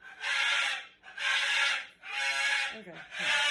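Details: Four long, grating screeches from a house cockatoo, each about a second, separated by short breaks; the outburst follows it snatching its owner's glasses, and companion birds join in the screaming.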